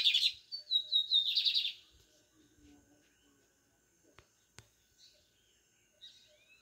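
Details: Lined seedeater, a brown-plumaged bird, delivering an excellent song: a loud burst of high, buzzy trilled notes and a short whistle for about two seconds, followed by near silence with a few faint clicks.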